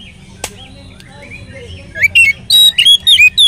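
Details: Oriental magpie-robin song used as a lure for other magpie-robins: a quiet start with a single click, then the last second and a half brings loud, quick whistled slurs and chirps.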